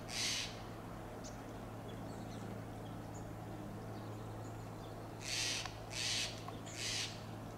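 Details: A Steller's jay calling from a tall Monterey pine in Del Monte Forest, California, gives harsh rasping notes: one alone, then three about a second apart, over a low steady hum.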